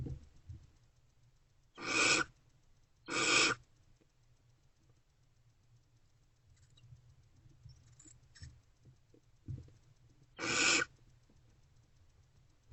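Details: Barn owls at a nest box at night, 2:15 am on 28 February 2024, during food deliveries: three harsh, hissing screeches about half a second long, two close together and one later, over faint scratching.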